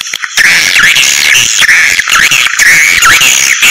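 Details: Swiftlet calls played as a lure to draw the birds into a house to live and nest: dense, loud, high twittering chirps with rising and falling sweeps, broken by brief silent gaps roughly every half second to second.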